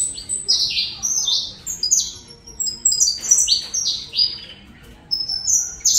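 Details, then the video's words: High, ringing chirps from a saffron finch singing the Colombian canário-da-terra style, given in short clusters of falling notes with brief gaps between phrases. "Canto canário da Terra Colômbia"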